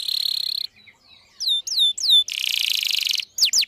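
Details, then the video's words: Canary, a captive songbird, singing as a lure for young birds learning to sing; a fast buzzing trill, then sweeping downward whistles, a long rapid rattling trill and more quick falling notes. "Kenari gacor panjang Merdu Cuit Cuit EMOSI, Pancingan Kenari Paud Belajar Bunyi"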